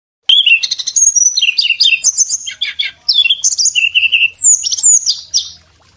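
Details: Male Sunda robin, a cage bird in full voice, sings for training other cage birds: a rapid, dense jumble of high whistles, sharp chirps and quick downslurred notes, delivered nonstop for about five seconds before fading.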